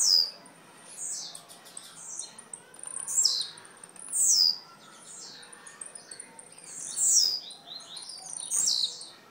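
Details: Young blue-black grassquit from Jacarepaguá, Rio de Janeiro, repeating thin, high buzzy rising notes every one to two seconds, with faint background noise.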